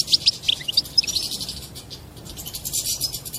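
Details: European goldfinch giving its mating song, which reportedly makes the female adopt a mating posture; opens with several separate clear chirps, then runs into continuous high buzzy twittering.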